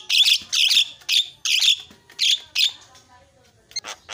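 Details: Javan myna singing in a lure recording meant to provoke silent birds into fast, excited song: loud harsh squawking bursts, roughly two per second for two seconds, then a pause and thin high squeaks.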